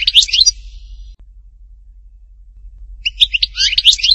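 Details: Goldfinch at Htatba, Tipaza sings two bursts of rapid, tinkling, high-pitched twittering notes separated by about two seconds of quiet.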